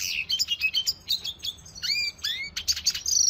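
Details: A Venezuelan red siskin (Spinus cucullatus), recorded in 2020, sings a training song: a fast, high twittering of chirps and buzzy trills, with a few sweeping rising notes near the end.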